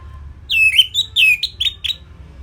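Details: Orange-headed thrush delivering a simple tutor song for training songbirds: a rapid sequence of about six loud, clear whistles, some sliding downward, ending in short rising notes, over a quiet low hum.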